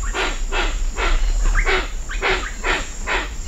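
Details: Hoatzin at Cocha Cashu, Manu: loud hoarse rasping calls repeated about every half second, with short rising notes from other birds and a steady high cicada drone throughout.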